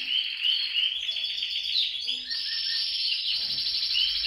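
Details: Canary song for inciting canaries to sing: fast warbled phrases giving way to a long sustained buzzy roll, dense and continuous.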